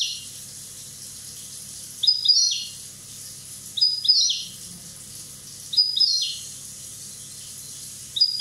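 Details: European goldfinch from Corsica, one year old, repeating a near-identical high, clear phrase with a short rising note and downward slur, about every two seconds, four times.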